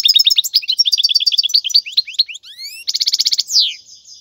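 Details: Goldfinch in the wild singing a song used for training young birds: rapid chirping notes, a few rising whistles, then a buzzy trill and a falling slurred note.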